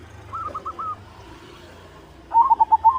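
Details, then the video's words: White zebra dove singing to prompt other doves: a faint short run of cooing notes early, a quiet gap with low hum, then a louder burst of quick warbled coos at the end. "Suara Perkutut Putih Gacor PANDAI MEMANCING Bunyi, Menaikan Birahi Bikin Gacor Semua Jenis Perkutut."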